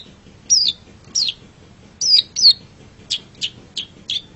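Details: Long-tailed shrike (pentet or cendet) in a songbird training master recording: spaced, high, down-slurred whistles, then shorter sharp notes, all over a quiet background.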